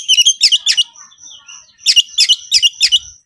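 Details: Oriental magpie-robin in highly agitated konslet-style song, calling a rival to fight: clusters of harsh, stuttering high notes in two bursts, separated by faint sustained whistles.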